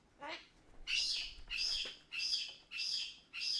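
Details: A parrot left alone by its caregiver gives distressed attention-seeking screeches to call the person back: loud, harsh, high, five in quick succession about every half second, each raspy and ringing.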